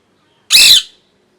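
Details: Single loud, grating squawk from a molting pet parrot, sharp onset and slightly fading tail, with quiet surroundings before and after.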